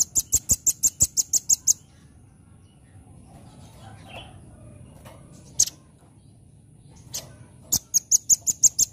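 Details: Velvet-fronted nuthatch singing actively in the rapid 'nembak' style: two bursts of quick, sharp, very high piping notes, about eight in a fast even series, separated by several seconds of quiet with faint background hum.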